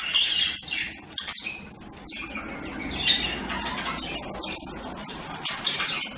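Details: Budgerigar calls: softer, scratchy warbling chatter broken by a few brief, sharper chirps and squawks spread irregularly through the clip.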